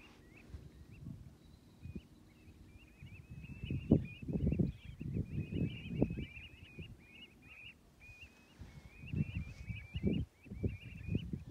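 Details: Common ringed plovers, some 65 birds, in chorus at Stornäset on Alnö in early October 2021: sparse piping calls that build into a dense run of short upslurred notes, with heavy low thuds beneath.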